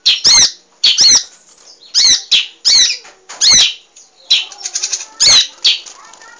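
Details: Munia, called emprit, singing actively for a cage-bird training recording: loud, rasping squeaky chirps about every half second, followed by a quick fluttering burst and faint soft sounds behind.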